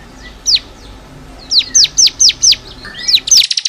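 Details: Bar-winged prinia, known locally as ciblek kristal, singing for caged-bird training: a lone high downslurred note, then a series of steep descending whistles ending in a fast buzzy trill.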